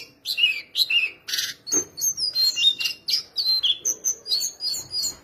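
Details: Shortwing in keeping, singing hard: a few buzzy, scratchy notes, then a quick run of clear, high whistled phrases, each short and evenly spaced, rising and falling in pitch.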